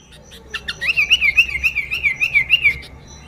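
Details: Sooty-headed bulbul lure recording with a steady run of about a dozen quick, wavering whistled notes, slightly descending in pitch.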